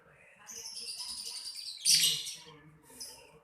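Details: Lovebird singing: high, thin chirps and twitters in a busy stream with a louder harsh burst midway, then softer chirps trailing off.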